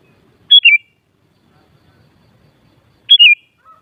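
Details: Kutilang, or sooty-headed bulbul, recorded to excite other kutilang into answering song: two loud, clipped whistled phrases about two and a half seconds apart, each a sharp high note followed by a quick descending slur, over near silence.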